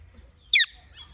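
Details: Indian ringneck parrot calling naturally, with no background music: one sudden harsh, buzzy squawk lasting a fraction of a second, followed by quiet and a faint softer note.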